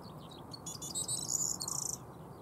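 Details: Corn bunting song at Maiden Castle, Dorchester, on 16 April 2016: quick ticking notes speeding into a high, dry, jangling trill like shaken keys, about a second long, over a low rumble; a Grey Partridge may also be audible.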